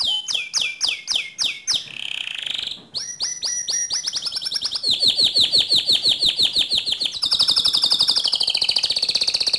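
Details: Canary song used to provoke another canary: a series of sharp descending chirps, a short buzzy note, then long rapid trills, shifting into a very fast, higher rolling trill near the end.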